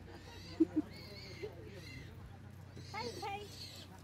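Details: A pet common hill myna talks with a girl in speech-like phrases: a drawn-out nasal utterance, then a shorter burst of syllables, with two sharp clicks early on and a low steady hum.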